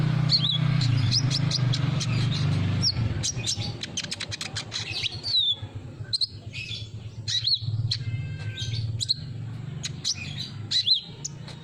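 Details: Sunbird song used as a lure, a rapid busy run of high sharp chirps and quick twittering notes over a steady low droning hum.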